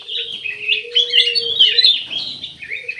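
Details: Cucak emas, or ruby-throated bulbul, pours out continuous high, busy chattering and twittering over a low steady whistle-like tone that holds for most of the stretch.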